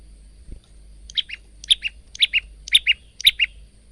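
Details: Male bar-winged prinia singing a variant phrase, phone-recorded as training song for caged birds: five double-noted chirps, each a high note dropping to a lower one, repeated about twice per second.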